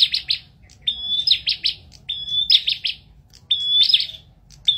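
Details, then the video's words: Bar-winged prinia repeatedly singing short phrases of a pure held whistle then fast harsh clicking notes, delivered in lively bursts roughly once a second, close and dominant. "Adu Suara Burung Prenjak Gacor"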